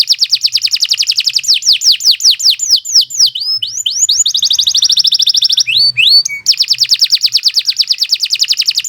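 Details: Canary singing a long, lively training song: very fast repeated sweeping notes form rolling trills, with some slower swoops and a brief pause before a final steady rapid trill.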